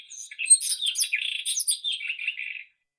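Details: Irania gutturalis, the white-throated robin, in a continuous rapid warble of varied high, slurred and buzzy notes lasting under three seconds, with no other sounds.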